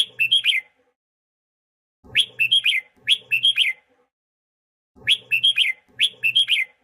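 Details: Song of a red-whiskered bulbul in training: four crisp bursts of fast, chirpy whistled notes, each a tight run of four or five notes, separated by short silences.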